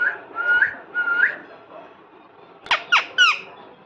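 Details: Cute pet parrot in a small room producing two level whistles that each flick upward at the end, followed after a pause by three short, rasping, downward-sweeping squawks in quick succession.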